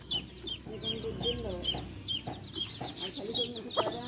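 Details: Baby chicks and a hen, with a steady stream of high, slurred, falling peeps over softer low clucking and a faint continuous hum.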